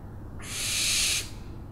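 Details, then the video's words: One loud, raspy owl screech of about eight tenths of a second, a broad hissing sound that swells and stops abruptly, over quiet low hum. "OWLS SOUNDS"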